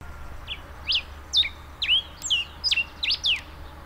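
A finch gives a quick run of sharp, high chirps, about nine bright notes in under four seconds at an uneven pace, over a low steady hum.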